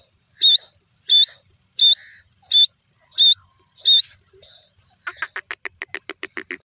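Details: Grey francolin, known locally as desi teetar, giving a steady run of six shrill, high-pitched notes at even spacing, then breaking into a rapid burst of quicker, clipped notes that patter on to the end.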